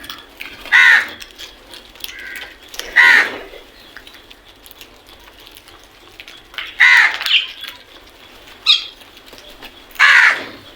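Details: Crows calling in the morning: loud harsh caws, five in about ten seconds, some doubled, with faint birds in the background.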